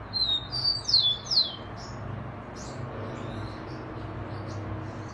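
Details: A chingolo's song opens with a thin steady whistle, then quick descending slurred notes within the first second and a half. Faint, distant bird notes and soft background noise follow.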